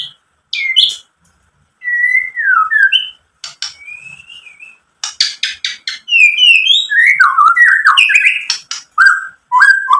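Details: Song of a white-rumped shama, played to stir rival shamas to sing, mixing long slurred whistles, dry clicking bursts and a fast string of varied whistled phrases, separated by short silences.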